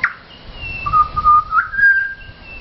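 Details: Pied butcherbird begging for a feed with song near Mt Gravatt: a sustained, clear flute-like whistle that holds steady then steps slightly higher, with a faint higher whistle above it.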